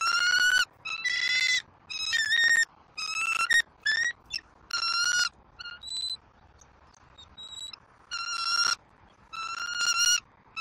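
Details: Wild bald eagles at a Southwest Florida nest on 5 February 2024, the female feeding fish to the eaglet until it is stuffed: repeated bright, piercing chatter bursts about once a second, mixed with a few thin, higher peeps.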